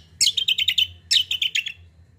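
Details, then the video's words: Actively singing common iora gives two quick runs of bright, evenly spaced chirped notes, about six per run, separated by a brief gap, clear against a faint low hum. "BURUNG KACIAL KOMBO GACOR"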